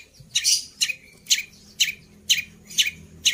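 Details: Long-tailed shrike giving harsh, raspy bursts with borrowed fills, one loud scratchy note about every half second over a faint low hum.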